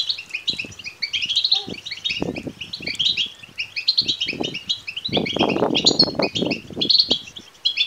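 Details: European goldfinch chicks begging, meant to stir males to song and mating: busy high chirping throughout, partly masked by repeated low rustling and bumping noises.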